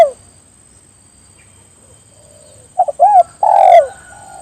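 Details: Spotted dove summoning others to call along. After near silence with a faint low murmur, one phrase comes: two quick notes, a bowed coo, then a longer coo that falls away. A steady high whine in the background.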